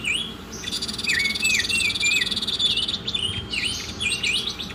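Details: Oriental magpie-robin masteran song: sharp whistled notes swooping down and up, some repeated in a short series, over a loud, steady, buzzing rattle high above them.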